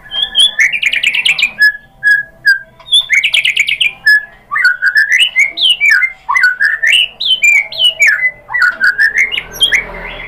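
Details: White-rumped shama song used as a lure to provoke other birds: loud varied whistled phrases, short slurred notes and rapid rising-falling trills in quick bursts, with brief pauses between phrases.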